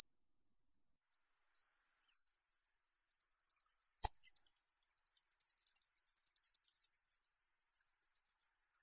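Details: Guillemot call opening with a long thin high whistle, then rising slurred notes that speed into a rapid series of short piping pips, with one sharp click midway.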